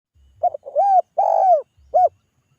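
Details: Spotted dove giving a calling song meant to draw answers from other doves: a stuttered short note, then deep arched coos, one long and drawn out, and a final short coo. The background is quiet.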